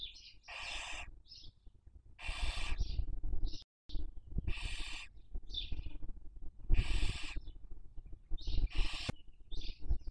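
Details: Barn owl raising young during the 2023 breeding season, nest webcam in Cabañeros National Park, Spain: five rasping, noisy screeches repeated roughly every two seconds, each followed by brief higher squeaky notes, with a steady low background rumble.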